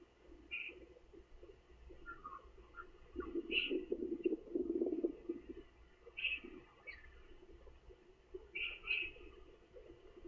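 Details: Kookaburra chick on 12 April 2014 in Australia, filmed with an outside and inside view, gives short, scattered chirps and squeaks over a low, rough churring murmur, with uneven pauses between notes.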